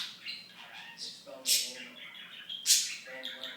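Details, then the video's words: Talking pet budgie producing scratchy, murmured speech-like syllables broken by two loud sharp squawky bursts, all high-pitched and rapid. "The Talking Budgie"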